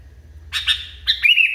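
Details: Very agitated sooty-headed bulbul: a pair of rough, chattering notes, then a sharp note leading into a short, sustained, bright whistle. Steady low background hum.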